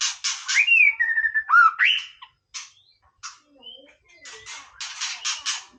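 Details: A white-rumped shama singing in a relaxed way opens with loud buzzy rasps and swooping whistles, then scattered softer scratchy notes and a thin whistle before more harsh bursts.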